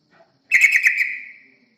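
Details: Yellow-vented bulbul lure song: one bubbling phrase of several quick, throaty warbled notes lasting about a second and tapering off, preceded by a faint soft note.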